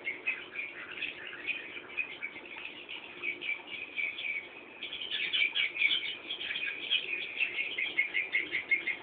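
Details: Young swiftlets calling as they wait for a parent to come back, a steady massed chorus of thin, high, buzzy chirps that grows louder and busier partway through.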